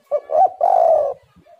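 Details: Spotted dove (tekukur) singing briskly, used as a lure to prompt other spotted doves to sing: two short hooting coos followed by a longer, steady, slightly trembling coo, all low and mellow.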